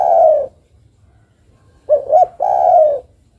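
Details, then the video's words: Female spotted dove calling the male: a low falling coo, then after a pause a short two-part wavering note and a longer drawn-out falling coo. "Suara burung derkuku betina memanggil jantan."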